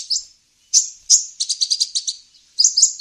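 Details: Olive-backed sunbird (kolibri ninja) luring sound for wild birds: a few separate thin chirps, then a quick stuttering run of about eight notes, and finally a short double chirp.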